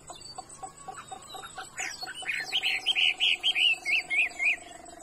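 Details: Chinese hwamei valued for its voice gives a row of dry ticking clicks, then a rhythmic series of short repeated whistled notes, about three per second.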